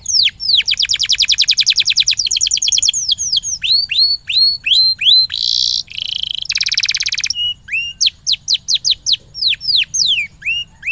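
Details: Canary singing as a lure to stimulate a quiet canary to sing: fast trills of steep downslurred whistles, rapid repeated notes, brief harsh buzzy bursts midway, then spaced curling whistles.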